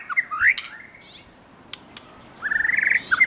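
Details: Wild white-rumped shama in active song: a harsh rising squawk-like phrase and scattered clicks, then a fast buzzy rattle of repeated notes ending in short whistles.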